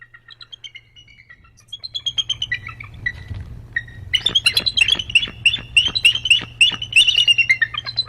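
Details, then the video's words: A pair of bald eagles calling to each other, their communication part of a healthy pair relationship: thin, high descending whistled notes at first, then a fast run of sharp chittering squeals repeated about three times a second, with a steady low hum underneath. "In people and bald eagles, communication is one of the keys to a healthy relationship. 100%. Let's see what they have to say"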